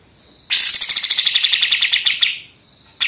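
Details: Pied triller singing in the 'senapan mesin' (machine-gun) style used as a tutor song for other songbirds: a rapid rattling trill of sharp notes that starts high and slides down, lasting under two seconds, then a new phrase begins.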